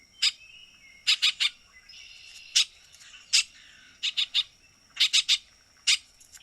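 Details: Harsh, rasping chatter of a Baltimore oriole: short broadband notes delivered singly or in quick runs of two to four, scattered irregularly, with softer whistled tones lingering underneath.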